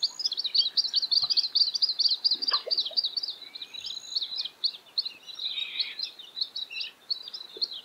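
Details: A juvenile Australasian grebe begs with a high, thin chittering while an adult catches yabbies and feeds it. Rapid squeaky notes run almost without a break, rising and falling in bursts. Littlehampton, South Australia, 13 October 2020.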